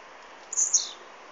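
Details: Blue-black grassquit song taken on an Android phone: a short piercing double buzz, the second part descending, heard once against a quiet hissing background.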